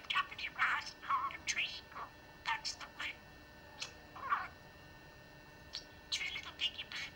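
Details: A pet talking budgerigar chattering through memorised rhymes: fast, thin, squeaky syllables in bursts, a pause, then another quick phrase.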